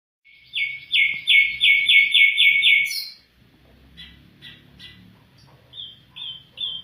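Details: Afghan bulbul singing: a fast, bright rattling trill of about eight buzzy notes lasting two seconds, then a pause and softer scattered chirps and short whistled notes.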